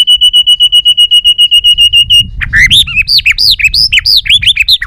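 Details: White-rumped shama in a balak 6 song used to lure birds: about twenty steady identical piping notes in quick succession, then a lively run of varied arched whistles and slurs.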